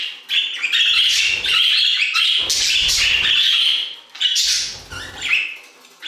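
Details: Several budgerigars warbling in an aviary, long runs of scratchy, buzzy chatter and squeaky notes that rise and fall, broken by short gaps.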